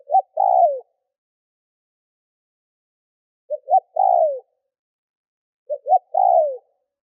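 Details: Lure spotted dove gives three coo phrases to draw in wild doves. Each has short clipped notes leading into a sustained, descending coo, separated by gaps of two to three seconds.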